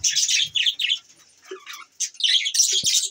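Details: A morning budgerigar gives short bursts of high, scratchy chirps, a brief lower whistled note, then more fast chatter.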